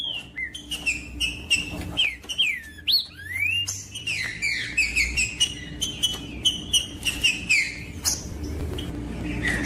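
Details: Whistled song of the green-winged saltator, used to stimulate a silent captive bird: sweeping rising and falling slurs, several overlapping, punctuated by clicks, with a faint low rumble.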